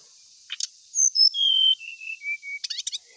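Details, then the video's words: Ashy tailorbird lure song: a short chip burst, then long clear whistles stepping downward in pitch, ending in quick repeated chips, with a constant high hiss behind. "1menit srdc langsung gacor❗pancingan paling sering di cari"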